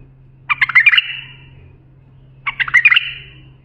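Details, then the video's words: Bulbul song intended for young bulbuls to learn: two bubbly, rapid warbled phrases of about a second each, two seconds apart, with a soft low hum behind. "بلبل للساناته إبداع يفيد للتخريج صغار بلابل"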